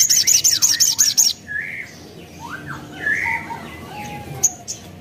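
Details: Sogon, a spiderhunter, recorded as a lure for other birds to answer. A rapid run of high chips is followed by lower, drawn-out squawking notes and a faint background hum.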